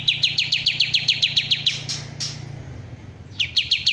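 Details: Bulbul called kapas tembak: a steady volley of sharp, down-slurred chips roughly every quarter second. A brief pause follows, then the series restarts, with a low steady hum underneath.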